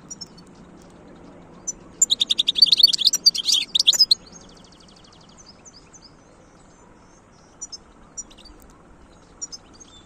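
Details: Wild European goldfinch giving a dense two-second burst of fast, jangling twitters, followed by a buzzy trill and then sparse, isolated high chips.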